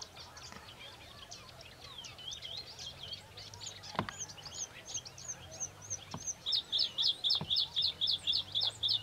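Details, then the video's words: A Bluethroat (Luscinia svecica), lured in by song playback and agitated by the rival song, sings a varied jumble of high chirps and twitters, ending in a fast ringing run of about a dozen metallic notes; soft clicks behind. "Варакушка поет, Luscinia Svecica sings."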